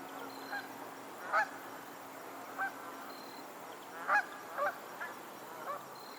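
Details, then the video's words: Geese calling on a Pennsylvania lake: spaced, nasal honks in small clusters, roughly every second or two, with a couple of louder double honks, over soft background hiss. "the sound of geese on a lake in Pennsylvania"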